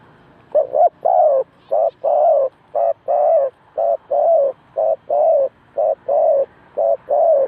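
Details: Decoy dove at a bird trap: a steady run of about fifteen low hollow coos, short and longer notes alternating roughly once a second, with no other sounds.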